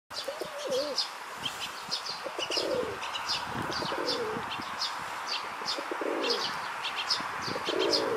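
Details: Male rock doves in a park, one puffing out his throat while pressing his courtship on a female: low, rolling coos that rise and fall, repeated about every one and a half seconds, over constant high chirping from small birds.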